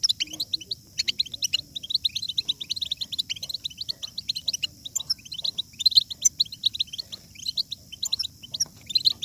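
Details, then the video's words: Goldfinch twittering song aimed at prompting other goldfinches to sing: dense stream of high chattering notes with occasional sharp chips, over a low murmuring background. "بتبتة الحسون ~ بتبتة جيدة لجعل الحسون يغرد بقوة !"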